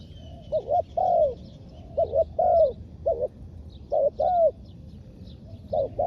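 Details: Spotted dove decoy for luring wild doves, delivering spaced phrases of a stuttered double coo and a drawn-out falling coo, light bird twitters in the background.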